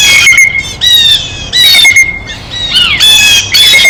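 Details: Blue jays feeding at a feeder: harsh, raspy squawks repeated in loud bursts, some notes sliding downward, over a constant outdoor noise background.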